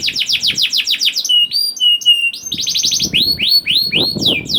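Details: Young canary song used to coax silent canaries into song: quick repeated upslurred whistles, a pause of thin flat high tones, then rapid trilled rolls and clear rising notes, with soft background rustle.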